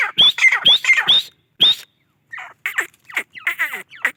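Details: Loud, harsh grey francolin calls: rapid rising whistled notes blending into raspy squawks in the first second and a half, a short pause, then a quieter burst of choppy, rasping notes.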